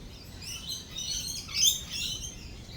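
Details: Brief spell of lorikeet chatter amid rolling thunder and lightning, buzzy high screeches peaking in one loud shrill note midway, low rumble behind.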